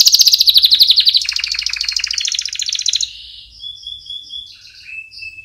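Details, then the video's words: Canary song used for training chicks: rapid trills of repeated notes, first high then dropping in pitch, followed by quieter whistled tones and short buzzy phrases. "Canary Singing - Most Spectacular HD Video Training For Chicks"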